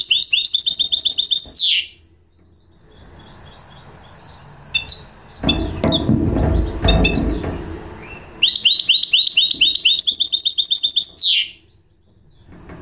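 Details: Goldfinch hybrid delivering quick rhythmic twitter phrases that close with a downward slur, broken by a stretch of loud clattering and rustling before the bird resumes the same fast pattern.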